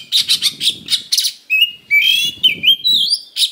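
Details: Oriental magpie-robin singing a fighting-provocation song packed with rough fill-in notes: a run of harsh, buzzy bursts, then long pure whistles sliding upward and a final rasping note.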